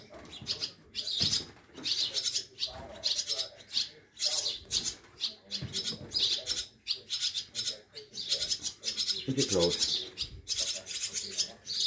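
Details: Rescued fledgling swallows being fed in a care station in the Harz, Germany, in summer 2022, already able to flutter: dense, rapid, shrill raspy bursts almost nonstop, with wing flapping and quiet human speech.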